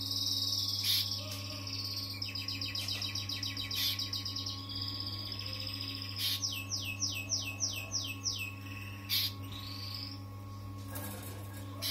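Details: Harz Roller canary giving its first song in a new home: rapid trilled rolls, a series of repeated descending whistled notes, and sustained tours, over a steady low hum.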